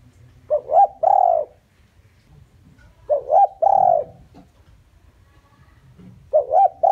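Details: Decoy spotted dove giving a lure call for wild doves. Three matching phrases of a quick double note and a longer mellow, slightly falling coo, repeated about every three seconds with quiet gaps between.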